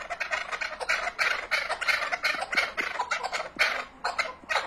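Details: Chukar partridge calling continuously: a steady run of harsh, clucking chuk notes, roughly three to four per second, uneven in loudness, with no other clear sounds.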